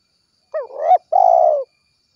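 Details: Spotted dove calling its companions, 'kuk 1' style: a two-part phrase, first a bending coo that climbs to a loud peak, then a sustained, gently falling coo. Clean recording.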